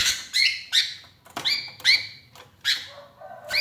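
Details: Sooty-headed bulbul, a lonely bird calling for its companions and used as a lure, mixes quick, upslurred whistled notes with rougher chirps in an uneven sequence.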